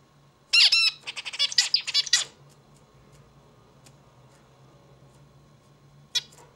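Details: Zebra finch opens with a loud nasal buzz, then a rapid tumbling run of short rasping clicks and buzzes for over a second, followed by silence and one final harsh note indoors.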